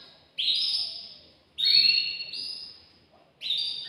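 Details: Caged male canary singing to a female to prompt mating, heard as three separate long, bright sustained whistled phrases with short pauses between them.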